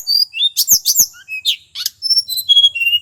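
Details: Male tledekan gunung from Mount Merapi, sung in full to rouse other birds: rapid run of high chirps and sharp ticks, followed by clear, slightly wavering whistled notes falling in pitch.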